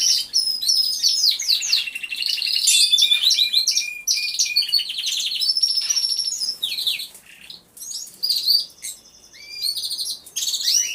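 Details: Many canaries singing together in an aviary, recorded by a hidden camera: a dense, overlapping chorus of rapid high trills, rolling buzzes and bright whistled notes, with a brief near-silent gap around the eighth second before the singing resumes.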